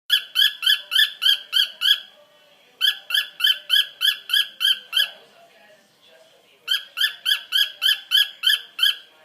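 A cockatiel repeats bright, chirpy notes in quick bursts, with brief pauses between phrases.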